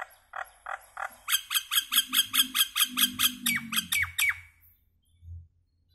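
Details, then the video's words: Common (Indian) myna singing: a few harsh notes, then a fast run of about a dozen grating, chattering notes, ending in quick down-slurred squawks, over a faint low hum. "Common myna bird song Indian myna sound"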